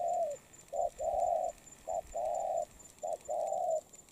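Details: Spotted dove in moult cooing in clear, low hoarse phrases: a long falling coo, then three pairs of a short clipped note followed by a sustained, level, hollow coo, repeated about every second with brief pauses over quiet background hiss.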